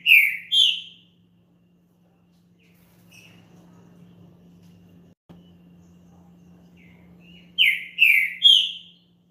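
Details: A champion green-winged saltator sings to warm up another bird. Two short whistled slurred notes open the recording. After a long quiet stretch with faint background noise, three more loud falling whistles follow near the end.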